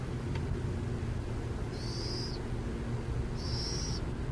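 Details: Burrowing owl near San Jose: two harsh, hissing high screeches about one and a half seconds apart, over a constant low drone.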